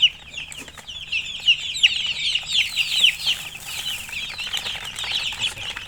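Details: Domestic chicks (murgi) in a busy chorus of shrill, falling peeps, loudest in the middle, with a few sharp clicks and rustles among them.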